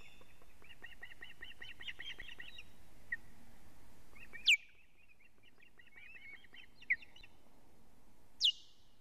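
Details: Osprey on a Latvian nest camera, evening of 19 July 2017, alarm calling as the male brings a living fish: a quick run of piping whistles, sharp loud clicks, then a second burst of whistled calls.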